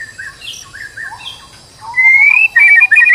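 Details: Lure recording of a stressed white-rumped shama meant to get another bird singing: soft warbled fragments at first, then a long rising whistle followed by loud, rapid, high trilled phrases.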